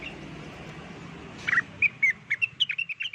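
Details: Blue-winged leafbird (rengganis) lure song: a softer run of slurred whistled notes at a moderate pitch, quickening toward the end, over steady low background noise.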